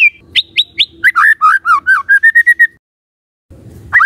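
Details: Lure song of a white-rumped shama meant to provoke other shamas: three high upslurred whistles, then a quick run of lower rolling whistled notes, silence, and a final rising note.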